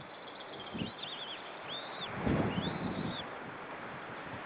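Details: One White-tailed eagle chick in an Estonian nest, 25 April 2013. Several faint, thin, wavering high peeps run in a quick series, partly masked by low rumbling noise.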